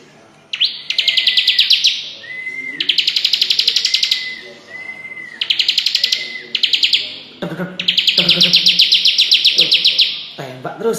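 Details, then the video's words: Bar-winged prinia, tame and being teased with fingers, singing in repeated bursts of about a second of fast, high ticking notes, each burst followed by a short rising-falling whistle, with some low background noise near the end. "CIBLEK gacor jinak di mainin pake jari tangan langsung nembak suara nya"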